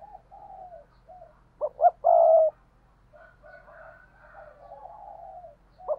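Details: Spotted dove used as a decoy, 2022, calling in 'thúc' style. Gentle low coos lead to two clipped accented notes and a long, loud sustained coo. Softer, hoarse, murmuring coos follow, and one more short note sounds at the end.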